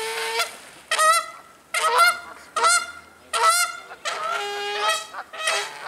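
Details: Canada geese fighting in spring at Colonel Samuel Smith Park, making loud harsh honks: about seven bursts of nasal, harmonic-rich honking, each lasting under a second, spaced by brief quiet gaps, some notes cracking upward.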